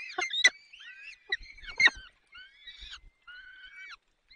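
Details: Peregrine falcon at the nest in the Barycz Valley, 14:28 on 30 April 2020, as the male brings prey and feeds the chicks while the female is away. Thin whistled squeals near mid pitch, bent and wavering, with sharp louder calls breaking in twice.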